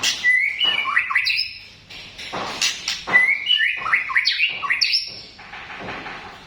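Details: White-rumped shama, tompel type, giving its 'batuk' (cough) sound: loud sliding whistled notes dropping and rising around mid pitch, mixed with harsh clicks and sharp bursts, in rapid irregular phrases.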